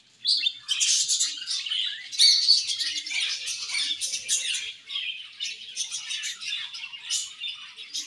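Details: Budgerigars chirping together in a colony while eating; a sudden start into loud, scratchy, overlapping twitters and short squeaks that keep going unevenly with small peaks.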